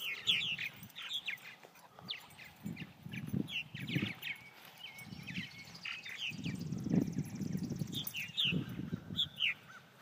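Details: Purple martins, the county bird of Elbert County, Georgia, chattering in a busy stream of short chirps and gurgled notes that overlap throughout, broken by repeated low rumbling bursts of wind or handling noise.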